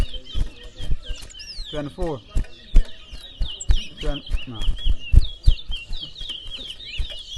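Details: Chestnut-bellied seed-finch (towa towa) song at a bird-singing competition in Berbice, Guyana: rapid, high twittering and sliding whistled notes pouring out almost without pause, with men's voices counting aloud and low thumps behind.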